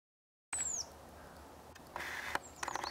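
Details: Crested tit in Norway giving a call that resembles a red-throated pipit's: one thin, very high note sliding steeply downward, lasting about a third of a second, then quiet background with faint clicks and rustles.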